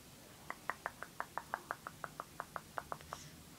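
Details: Pet bird excitedly greeting its owner arriving home from work: a quick series of clipped, bright chirps, roughly three per second and slightly uneven in spacing, in a quiet indoor room.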